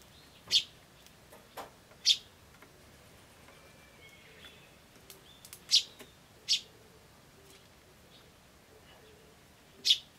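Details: Eurasian tree sparrow chick on 21 May 2013, chirping more feebly than usual: five short, sharp, high chirps spaced one to four seconds apart, while a turtledove and a crow call somewhere.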